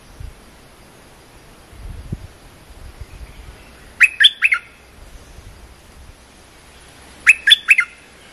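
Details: Cream-vented bulbul training song meant for teaching young birds: two short bubbly phrases of three or four quick notes, about three seconds apart, over a quiet low background rumble.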